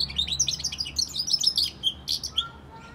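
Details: Hybrid of a European goldfinch and a canary in steady twittering song: rapid high chirps and trills tumbling together, broken by brief pauses and a few sharper notes near the end.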